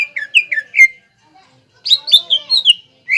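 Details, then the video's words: Greater green leafbird in lively song aimed at stimulating young leafbirds: quick falling whistles, a pause, then a tumbling cluster of higher sharp notes and a final rising whistle. "PANCINGAN CUCAK IJO GACOR INI MAMPU MENAIKAN EMOSI IJO BAHAN AGAR BUNYI GACOR"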